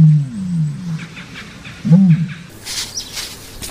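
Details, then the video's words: Common ostrich giving deep, low hooting grunts, one at the start and another two seconds later, with faint high twittering near the end. "Ostrich sound"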